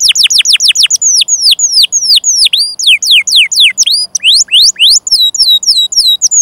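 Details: Canary singing a long, fast song used as training material for other canaries: rapid series of high descending whistled sweeps, shifting to spaced down-slurred notes and paired syllables, loud and continuous.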